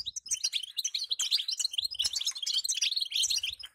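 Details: Female European goldfinch in batbata calling, meant to make the male sing; a rapid tumbling stream of bright, high twittered notes and buzzy chirps, loud and continuous throughout.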